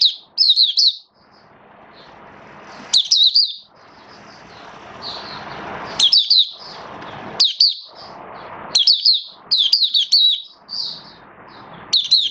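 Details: Oriental white-eye (mata puteh), a hobby bird in build-up form, recorded 19 September 2022; short bursts of rapid, high twittering phrases come every one to two seconds, separated by a steady rushing hiss.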